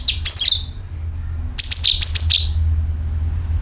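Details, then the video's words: Sooty-headed bulbul call for luring birds: two tight bursts of loud, high, sharp chirps that slur downward, then fading low hum. "CUCAK KINOI ||PANCINGAN PALING AMPUH TERBUKTI PASTI IKU BUNYI SUARA PANGILAN + NYERET"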